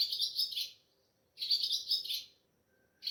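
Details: Ababil, a swallow, calling at a house during Sehri on a moonlit pre-dawn night, captured by mobile phone; two loud, high, rattling chirp bursts of under a second each, separated by silence, with a third beginning at the end.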